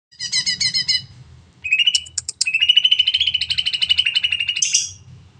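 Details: Greater green leafbird (cucak ijo) singing a long 'nembak panjang' song used to stimulate other birds to sing: a rapid high chattering burst, then a pause, then a long rolling trill of repeated notes ending in a sharp upward flourish; low hum underneath.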